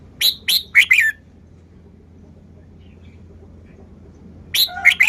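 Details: Red-whiskered bulbul showing its song style: a quick phrase of four crisp chirped notes, silence for over three seconds, then a similar four-note phrase, all over a low background hum.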